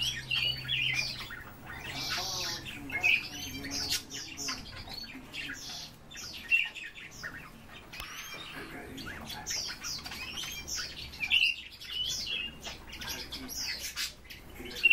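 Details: A flock of European bee-eaters calling almost continuously, with short purring, trilled notes repeated every second or two and louder single calls standing out over a chattering background.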